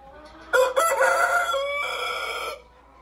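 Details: Rhode Island Red rooster, described as beautiful and imposing, kept at a bird-breeding farm, crowing; one long, strained, harmonic crow of about two seconds that shifts to a lower, steadier tone midway, then cuts off.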